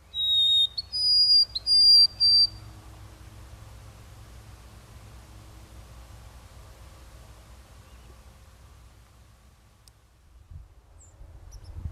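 A White-throated Sparrow sings pure, clear whistles: a lower steady note, then higher held notes, lasting about two seconds before quiet background hum.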